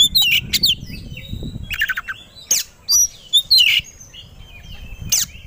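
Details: White-rumped shama, kept songbird, provoked to sing aggressively and ready to fight: scattered sharp whistled notes and harsh broadband bursts, with pauses between phrases and a faint low rumble underneath.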